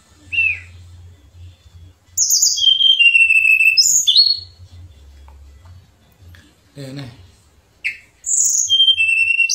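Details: Shortwing, locally called tledekan pring, in a lively song style called nembak and ngerol: bright whistled phrases, some sliding down, separated by quiet gaps with a low hum.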